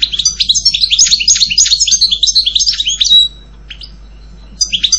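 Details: European goldfinch delivering a rapid, jangling twitter of mixed chirps and trills for about three seconds, a short pause with one chirp, then the song resumes briefly.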